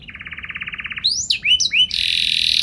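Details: Canary delivering a brief gacor phrase: a fast pulsed trill, three swooping whistled notes, then a harsh buzzy roll.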